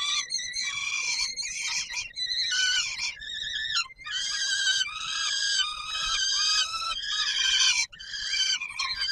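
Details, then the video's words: At feeding time on the Palace of Culture and Science in Warsaw, 17 July 2022, a peregrine falcon gives an almost unbroken series of hoarse, wavering screams, some short and choppy, others stretched and quavering. "Sokół wędrowny PKiN Warszawa - Chłopaki wstawać kolacja"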